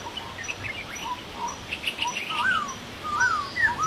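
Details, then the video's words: Masked laughingthrush in the wild, giving slurred whistled notes rising and falling between low and mid pitch, with a couple of whistles late in the clip over steady background hiss. "Burung poksay Hongkong di Alam"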